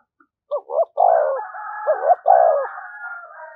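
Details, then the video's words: Spotted dove in lure-style urging coo: quick clipped notes leading into two long falling coos, overlaid by a steady higher whistled tone that carries to the end. "tiếng cu gáy/ cu gáy thúc gù bài bản dùng kích bổi hiệu quả"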